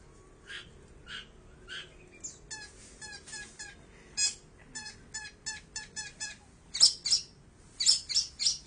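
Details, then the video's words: Long-tailed shrike recorded on an Android phone: scattered high notes build into a quick series of buzzy, stuttering chips, then louder shrill, piercing notes at the close. "Burung cendet"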